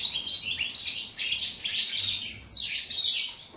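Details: A European goldfinch delivering the authentic wild song style, termed khalwi in Morocco and Algeria: a busy stream of twittered notes with a few downward slurred whistles near the end.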